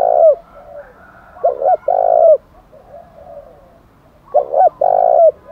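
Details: Repeated challenge coos of a spotted dove, 'thổ đồng' voice: two loud phrases, each a broken double note then a drawn-out deep coo, separated by quieter cooing from other doves.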